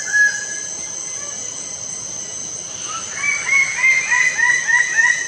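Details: Lesser bird-of-paradise: a single early call, then a fast accelerating run of loud, repeated, clipped upslurred notes, with a constant background of buzzing insects.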